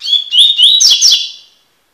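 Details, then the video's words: Coleiro tui tui (double-collared seedeater) in encarte song, a rapid run of rising whistled notes followed by a harsher buzzy flourish, about 1.5 seconds, no other sounds. "coleiro tui tui cantando (encarte)"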